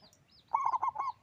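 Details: Local zebra dove, singing actively with a loud voice: one short burst of four quick, throaty cooing notes run together, with faint high chirps from other small birds behind.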